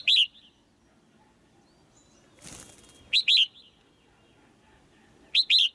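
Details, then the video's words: Female bird in a cage calling to make the male sing harder: three crisp doubled chirps with quiet gaps, plus a brief rustle of wing flutter in the middle. "เสียงนกตัวเมียร้องเจี๊ยก ๆ ในกรง กระตุ้นให้นกตัวผู้ร้องแรงขึ้น"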